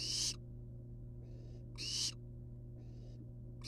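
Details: Loud, rasping hisses alternate with softer, thinner ones from wild barn owl young hanging out of a nest box, spaced under a second apart, against a steady electrical hum.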